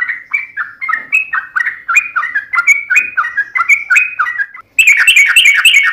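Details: Gacor singing yellow-vented bulbul: steady, fast series of liquid whistled notes that dip and rise. Near the end the notes turn suddenly louder, brighter and more crowded, like a burst of excited chatter.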